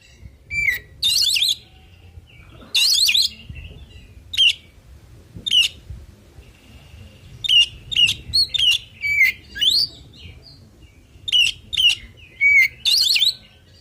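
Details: Oriental magpie-robin male singing a varied fill song to set rivals answering: two loud harsh rasping bursts early, followed by many short bright chirps and slurred whistles spaced about a second apart, with a soft flat whistle near the end.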